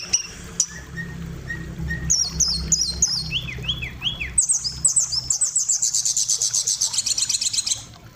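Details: White-rumped shama gives soft low whistles, then a rapid series of descending chirps and a long fast high trill of repeated notes; steady low background hum.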